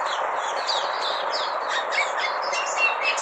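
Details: Red-whiskered bulbul copying canary sounds, about four brief high chirps and slurred whistles per second, masked in part by a continuous hissing background.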